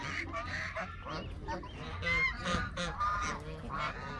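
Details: A group of Canada geese giving harsh, nasal honks in quick succession, several birds overlapping in a short noisy chorus.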